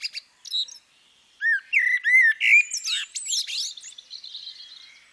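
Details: Female common blackbird producing a few quick chirps, then arched fluted whistles rising and falling, ending in a tumbling high twitter that fades out.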